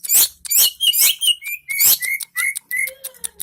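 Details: Long-tailed shrike singing in Indonesia: harsh, scratchy bursts alternating with clear whistled notes, several short even whistles repeated in a row near the end, loud and close.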